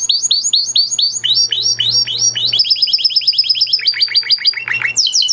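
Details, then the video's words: Blue Spanish Timbrado canary sings a rapid, high, metallic series of repeated chirps and trills; the rolls shift pace, with a steady low hum in the background. "Blue Spanish Timbrado Canary"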